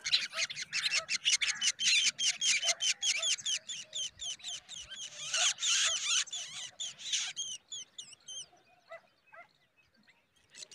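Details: Black drongo feeding insects to its young in the morning: a fast run of harsh, high, scratchy calls, two or three a second, giving way to a few sharp whistled notes that rise and fall.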